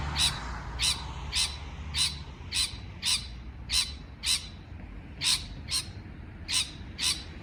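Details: Beautiful parrot call: a steady run of sharp, squawky chirps spaced roughly half a second apart, with brief pauses between some notes and a faint low rumble behind.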